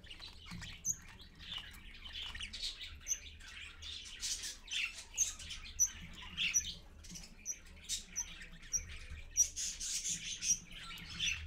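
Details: Parakeets at dawn, 6:20 AM, a parent with chicks: rapid raspy chatter interspersed with brief, sharp high chirps repeated roughly every second, over a low hum.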